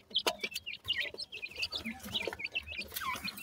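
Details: Baby grey francolins giving dense, high-pitched cheeping: short upturned and downslurred peeps in quick succession over soft tapping sounds.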